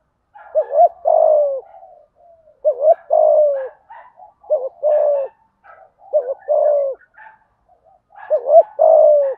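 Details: Spotted dove with a 'giọng thổ' voice giving 'thúc gù' urging coos to rouse other doves: steady low phrases of a double note and a sliding coo, backed by faint higher twittering.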